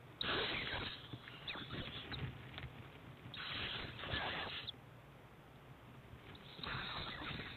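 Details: Two competing owlets fed by their mother at breakfast, 7am, 7 March 2010, snake or eel on the menu; rasping hissed screeches in three long bursts over steady low background hum.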